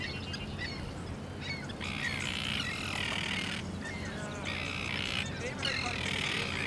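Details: Arctic tern calling at Lake Ontario, Canada: harsh, raspy, drawn-out cries in three bursts of about one second each, separated by short gaps, with fainter chirps at the start and a low rumbling background.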